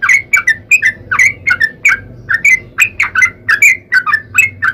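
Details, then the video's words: Sooty-headed bulbul song used as a lure to get other bulbuls singing: a long, lively run of short, bubbly whistled notes, each swooping between mid and higher pitch, delivered in quick clusters with brief gaps and a faint low hum beneath. "trucukan gacor ROPEL PANJANG buat pancingan trucukan agar bunyi"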